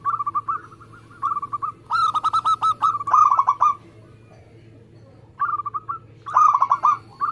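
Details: Zebra dove of a local type singing vigorously: soft short coo phrases lead into loud runs of fast, rattling coos, then a pause and more phrases ending in another rapid burst.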